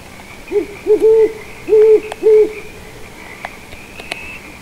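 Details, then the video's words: Two owls hooting in the background: a series of short, mellow, slightly wavering hoots, some doubled, in a loose rhythm over about two seconds, followed by quieter moments with faint clicks and a steady high hum. "owls hooting"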